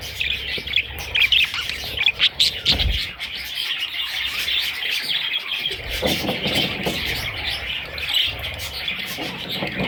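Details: Parrot babies chattering nonstop in high, overlapping chirps and squeaks, with a few low knocks and rustles mixed in.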